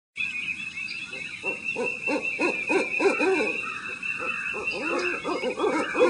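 An owl gives a rapid run of low, breathy hoots, several each second, over a steady high hiss of insects or background noise.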